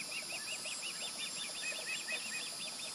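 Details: Fledged juvenile osprey calling near its nest by a light pole, recorded 16 July 2020: a steady run of short, high, chirping whistles repeated rapidly over loud insect-like hiss and background noise.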